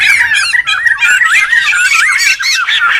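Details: Noisy wild laughingthrushes, a recording meant for luring and tutoring birds: several birds overlap in a dense chatter of looping, warbling whistles and harsh squawks, continuous throughout.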